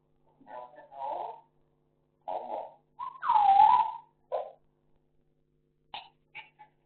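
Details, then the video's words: African grey parrot kept in Sukkur, Pakistan, producing voice-like mumbled syllables and a loud gliding whistle that falls then levels off, followed by a few soft clipped sounds in a quiet room. "African gray talking video"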